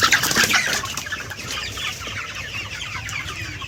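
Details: A crowded flock of about 98 chickens in a walled poultry house lit by lamps keeps up a busy, overlapping chatter of clucks and high peeps. Four birds have already died.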